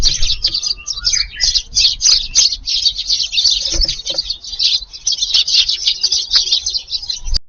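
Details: Evening garden on July 22, Eurasian tree sparrows swooping down together to feed in a crowded rush; steady chorus of many sharp overlapping chirps, bright and insistent, with a faint lower whistle near the start.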